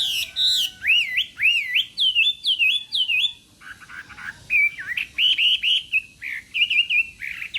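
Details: Morning song of a Chinese hwamei trained for singing contests: clear ringing whistled notes rising then dipping, repeated in short bursts about every half second, followed by a rapid trilled, chattering passage.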